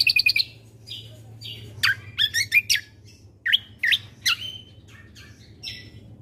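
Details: Bulbul song in a combo mix meant to excite listening birds into calling: a quick burst of clipped chirps opens, followed by varied whistled phrases, slurred upward and downward notes and short twittering bursts, with a steady low hum beneath.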